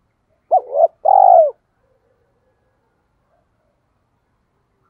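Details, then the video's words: Spotted dove in double-voiced coo, used for luring wild doves: a short two-part opening note followed by a long, buzzy, slightly falling coo, then quiet. "tiếng cu gáy gọi bổi giọng đôi nghe hay và dùng kích bổi hiệu quả"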